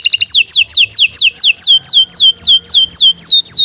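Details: Kenari Nusantara canary singing long continuous song used as master song for training: a steady series of loud, clear downslurred whistled notes, close to four per second, bright and repetitive.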